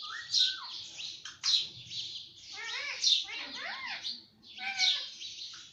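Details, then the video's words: Pet talking parrot, said to speak many words such as papa and mummy; a series of short, nasal, speech-like squawked phrases with bending harmonic tones, each phrase bursting out roughly once a second over a quiet background. "parrot talking everything - talking parrot"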